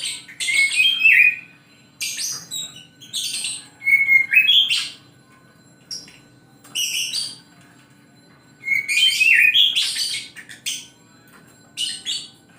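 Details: Oriental magpie-robin in the morning, delivering short bright phrases every second or two, mixing clear slurred whistles with high buzzy sparkling notes, separated by brief silences over a steady faint hum.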